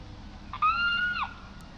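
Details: A single drawn-out Limpkin wail, the carrao, held level and ringing for over half a second before sliding sharply downward at the end.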